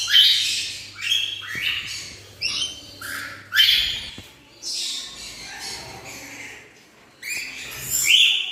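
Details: Black-winged lory, also called blue-cheeked lory, an Indonesian bird kept as a pet in Bhubaneswar, Odisha; harsh, screechy high squawks in short bursts about every second, with brief gaps between phrases.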